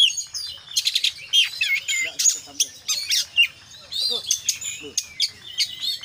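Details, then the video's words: Oriental magpie-robin singing 'konslet full isian' style: harsh rattling bursts alternate with clear whistled slurs and scattered chips, irregular rhythm, mostly high-pitched with faint low background hum. "kacer gacor KONSLET full isian"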